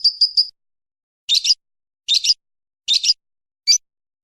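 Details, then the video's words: Lovebird in ngekek song used as a training model: a quick triple chirp followed by three harsh double-noted squeaky bursts nearly a second apart and one final short squeak. "burung lovebird ngekek panjang"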